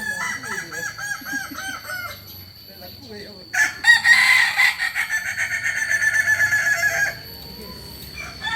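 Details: Kokok Balenggek rooster, a native chicken of Solok, West Sumatra, known for a multi-stepped crow of three to nineteen or more tiers; a long tiered crow with pulsing repeated notes follows earlier clucking and a faint voice.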